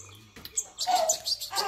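A young European goldfinch gives a quick burst of thin, high twittering chirps, with a lower tonal note in the middle and a person speaking softly nearby.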